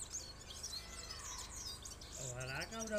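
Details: A trained European goldfinch gives high, tinkling twitters and quick chirps through the first two seconds, then a man's voice talks over the end.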